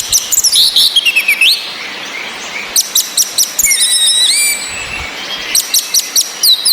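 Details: Female orange-headed thrush giving ngecis calls meant to raise breeding drive in caged males that only twitter. Quick sharp high chirps and thin whistled slides run in bursts. Some notes sweep downward, with short pauses between clusters.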